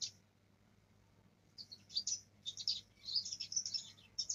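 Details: Young Black-throated Canary practising its rolling song. After a short quiet start, high, thin twittering and rapid chirps come in dense bursts from about one and a half seconds to the end, over a faint low hum.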